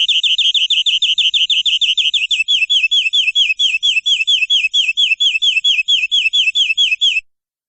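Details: Long canary song for tutoring young canaries: a steady rolling trill of quick, repeated whistled notes lasting about seven seconds, slowing slightly partway, then ending abruptly.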